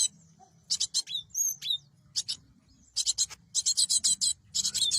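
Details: Lure for bird trapping featuring a cinereous tit: sparse sharp notes and whistled downslurs at first, building into dense, harsh, buzzy chatter toward the end.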